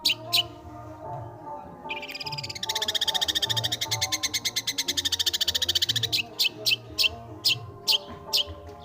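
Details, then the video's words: Long-tailed shrike singing energetically and continuously, showing off its varied notes: sharp clicking chips, then a fast dense buzzing trill lasting about three seconds, then more spaced sharp notes, over a steady low humming drone. "Burung bermain nada! Hebat! Dengerin Burung Pentet/Cendet ini Bisa Gacor Sekali !"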